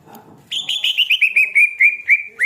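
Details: Greater green leafbird (cucak ijo) described as OB, overly aroused, singing a fast run of clear whistled notes, about twelve short slurred notes that step gently downward in pitch over two seconds, with quiet background before.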